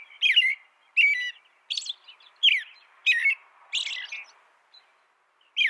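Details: American robin singing short warbled phrases, each a rising-falling whistled slur with thin high squeaky notes on top, delivered about once a second with brief silent gaps between.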